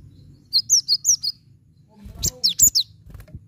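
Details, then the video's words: Cinereous tit song played as a lure to coax a silent bird into singing: two bursts of sharp, high, down-slurred whistled notes, five quick notes then a shorter jumbled series after a pause, over a low hum. "Glatik Batu Macet Pancing Pake ini"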